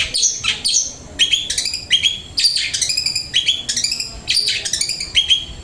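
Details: Indonesian long-tailed shrike delivering flowing learned song material: bursts of sharp, high chirping phrases, each about half a second long, repeated roughly every second against a quiet background.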